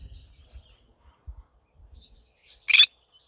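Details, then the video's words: A Green conure in the morning gives one loud, harsh, high squawk, preceded by faint soft chirps and a little low background rumble. "Green conure sing a song in the morning"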